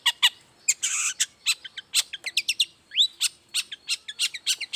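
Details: Long-tailed shrike singing in the morning as a lure for other shrikes: sharp high chips interspersed with a short harsh rasp and one rising whistled slur, the notes tumbling in a quick, uneven sequence.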